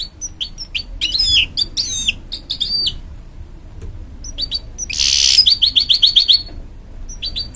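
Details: Singing hybrid goldfinch encouraging young chicks, with looping whistled phrases, a pause of scattered chirps, a brief noisy burst, then a rapid string of identical high notes about six in a row.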